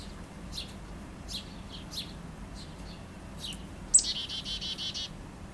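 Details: Wild chickadee taking food and flying off with it, heard through an open back window: thin high notes scattered over four seconds, then a quick buzzy run of repeated dee notes.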